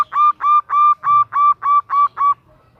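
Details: Female zebra dove calling for the male: eight full, evenly spaced mid-pitched coos, each swelling and slightly rising, over a little more than two seconds, then quiet.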